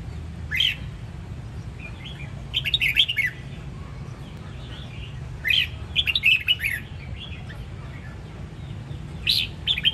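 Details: Red-whiskered bulbul of the Sông Kon line from Đông Giang, Quảng Nam, Vietnam, giving short bursts of bright, warbled, fluty phrases at about 0.6, 3, 6 and 9.5 seconds, separated by quiet gaps over a steady low hum.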